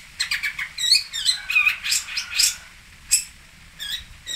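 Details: Long-tailed shrike (cendet) from Singosari singing a varied, jumbled phrase of quick whistled and slurred notes, rising and falling in pitch, closed by a few sharp harsh notes after a short pause.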